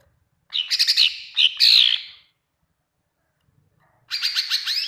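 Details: Greater green leafbird singing actively, recorded to train other leafbirds to sing and reply: two harsh, chattering bursts of rapid high notes mixed with squeaky whistles, a long pause, then another scratchy chattering phrase.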